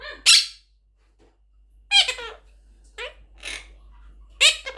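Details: A pet blue Quaker (monk) parakeet talks in short, high, harsh-toned bursts of mimicked words, about four phrases spaced unevenly, in a quiet indoor room.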